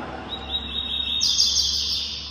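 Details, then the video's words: A captive male Double-collared Seedeater, moulting from spotted to black plumage, sings excitedly while hopping about unperched with a female nearby: a high, bright run of rapid twittering jumping to a sharper, buzzier phrase, over a faint low hum. "imagina um coleiro desse cantar empuleirado, a paulada que ele não vai dar."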